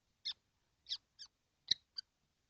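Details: Kestrels in a nesting box, all seven present, on a hot day, 12 June 2025: five short raspy notes, unevenly spaced, with silence between.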